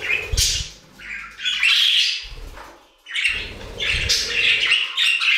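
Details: Budgies singing in an aviary: dense, scratchy warbling chatter with squeaky chirps, broken by a short lull, plus low fluttering or rustling noises underneath.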